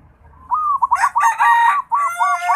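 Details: Local Bali zebra dove learning to sing: a quick run of about eight arched, cooing notes at even spacing, each rising then falling, with a faint low rumble before the first note.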